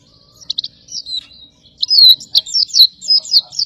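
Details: Oriental white-eye (pleci dakun) giving a master song for training contest birds. A few sharp chips and a short trill lead into a loud, jumbled string of high, sweet, rapidly varied notes.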